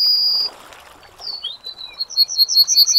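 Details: Yellowhammer song: a long high whistle, a short gap and a brief slurred note, then a run of quick, evenly spaced high notes that grow louder toward the end.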